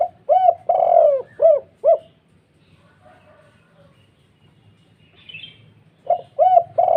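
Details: Spotted dove repeating its big, heavy 'kuk 2' call, said to excite other doves: a phrase of low hollow coos, a quiet gap of about four seconds with a distant high chirp, then the phrase starts again.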